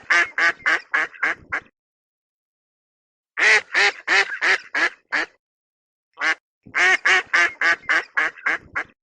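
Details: Ducks quacking in three rapid bursts of loud, nasal, raspy quacks, five to eight per burst, separated by short silent pauses, with nothing else audible.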